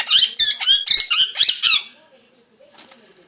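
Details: Parrot giving a quick series of high, rapid twittering chirps for about two seconds, then near silence with a faint, soft chirp at the end.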